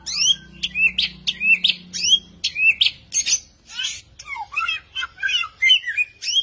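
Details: Strange bird whose singing is called frightening, delivering a fast run of harsh, buzzy notes, each ending in a rising whistled sweep, roughly one and a half per second, with a faint low hum in the first half.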